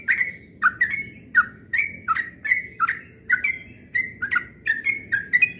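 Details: Dawn ropel song of a yellow-vented bulbul: short, liquid, downslurred whistled phrases repeated roughly every half second, steady and bubbly, with a faint high whine in the background.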